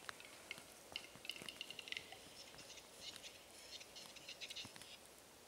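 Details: Male Western capercaillie (Tetrao urogallus) in courtship display at a lek in Norway, April 2017, morning, with 11 males and 20 females present: quiet dry clicks in a quickening series give way to soft scratchy, rasping bursts; faint background patter.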